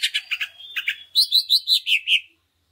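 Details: Greater green leafbird song used to spur other leafbirds to sing: a run of quick chirps, then a series of about seven loud, clear, evenly spaced whistled notes.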